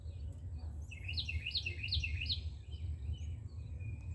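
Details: Carolina wren at its nest on an outdoor shelf: one bright song of four evenly spaced, rapid rising-falling whistled phrases, with faint chips nearby and a low rumbling background.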